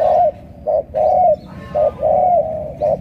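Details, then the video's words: Spotted dove, a strong-voiced thổ cọp, from Cà Mau, cooing in alternating short and drawn-out notes, about six in three seconds, with a faint background hum. "Thổ cọp âm khủng"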